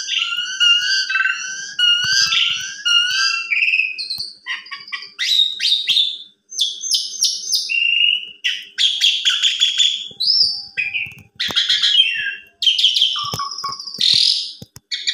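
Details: Asian pied starling delivering an afternoon lure song full of varied fills, used as a master for young birds: a continuous, fast medley of whistles, harsh chatters and rising slurred notes with barely any breaks.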